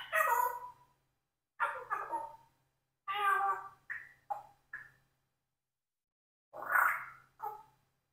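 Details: Indoor pet Congo African grey parrot, four years old, mimicking human words while trying to say cockroach without the R; a series of short speech-like syllables and phrases, some rising, with pauses between.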